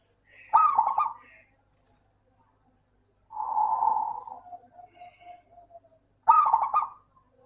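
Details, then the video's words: Local zebra dove song used as a lure to make lazy doves sing: three staccato, rolling coo phrases about three seconds apart. The middle phrase trails off into soft, evenly spaced notes. "Suara burung Perkutut Lokal - PINTAR PANCING PERKUTUT MALAS BUNYI"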